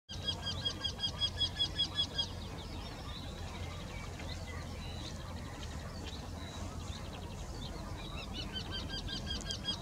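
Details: Two Eurasian wrynecks singing in the same tree, recorded in Sweden: runs of nasal, evenly repeated notes about eight per second open and close the stretch, with faint other birdsong between them and a steady low rumble beneath.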